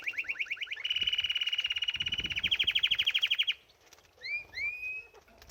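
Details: Canary at its bath sings rapid rolling trills of quick repeated notes that shift slightly in pitch, then stops and gives several separate upslurred whistles.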